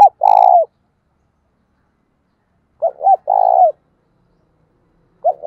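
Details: Spotted dove kept as a decoy to lure wild birds, cooing in 'giọng thổ' style. Repeated phrases of two short notes and a long vibrating coo come roughly every three seconds, with the clip ending at the start of another.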